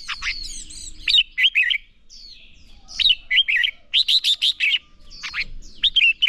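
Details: Red-whiskered bulbul song played as training to make birds sing: dense series of rich, rapid warbled phrases, loud bubbling and looping notes in bursts every second or so, clean with little background.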